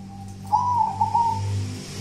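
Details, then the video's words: Local wild-type zebra dove, its song dubbed kuntilanak, giving one short rolling coo phrase of warbled, slightly wavering notes lasting about a second, over a steady low hum. "Perkutut kuntilanak"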